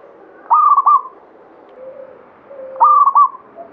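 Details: Actively singing local zebra dove of the Banyumili katuranggan type gives two crisp, stuttering coo phrases about two seconds apart, notes stepping level then trailing into a longer coo; faint soft coos from other doves fill the gaps.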